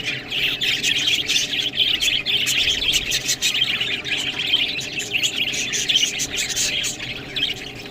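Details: Budgies eating green food give dense, bright chirping and warbling from many birds at once, a rapid, unbroken twitter with sharp clicks scattered throughout.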